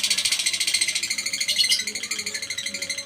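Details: Lovebird ngekek chatter used as training audio: a quick, quieter, slightly rough trill of buzzy pulses over some faint background noise.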